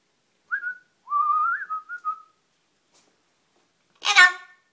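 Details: A 20-year-old double yellow-headed amazon parrot talking with its owner: clear whistled, wavering tonal phrases rising and falling for about two seconds, then a short harsh broadband squawk.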